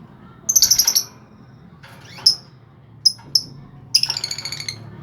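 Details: Lovebird singing, played to stimulate other lovebirds to sing: a quick series of shrill high chirps, then scattered sharp single notes and a second rapid burst of piercing twittering.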